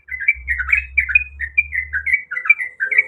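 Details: Sooty-headed bulbul female in breeding condition calls the male with a steady string of short, slurred, chirping notes. A low droning hum runs under the first two seconds.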